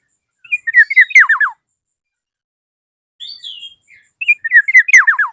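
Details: Black-naped oriole calling toward a rival: two loud bursts of quick down-slurred notes about three and a half seconds apart, separated by a soft whistled phrase.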